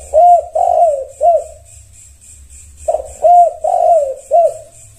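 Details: Zebra dove (tekukur) replying to another dove: two cooing phrases about three seconds apart, each a short note, a longer wavering coo and a closing rounded coo, soft and low-pitched.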